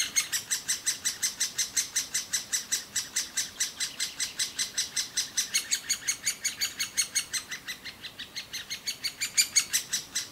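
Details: Great spotted woodpecker nestlings in a hole in an old aspen beg loudly for food as both parents feed them: high, rasping chirps about four a second in a steady run that briefly fades, then grows louder.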